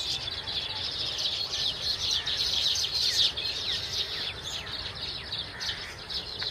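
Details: Flock of baya weavers producing continuous, wheezy, high chattering, many overlapping rapid chirps with short descending squeaks, loudest around the middle, steady throughout.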